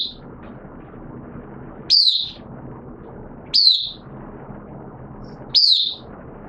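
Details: Oriental white-eye, a caged hobby bird singing in 'buka sing' style in wet weather on 06/09/2022, gives sharp, high, downslurred chirps, each alone, about every one and a half to two seconds, over steady low rumbling background noise.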